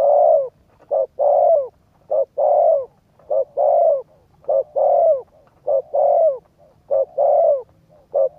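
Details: Spotted dove urging coos for exciting a decoy bird. Mellow low coos alternate short and long notes in a fast, regular series, almost without pauses.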